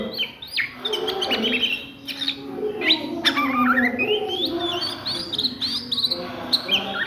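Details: Ngriwik song of an Oriental magpie-robin at midday: rapid, varied whistled notes and slurred chirps tumbling one after another, some sweeping up and down, against a low background murmur.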